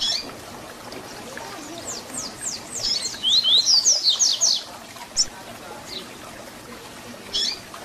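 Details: Papa-capim, double-collared seedeater, in the Tui Tui Zel Zel fibra song style meant for tutoring young birds. Soft high notes build into a loud run of quick slurred whistles, followed by two isolated notes.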